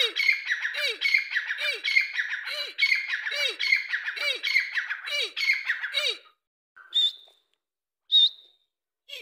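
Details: Partridge call: a run of harsh, squawky, chattering phrases repeated about every 0.7 seconds, each ending with a low downward-sliding note. After a brief pause come two short, high whistled notes.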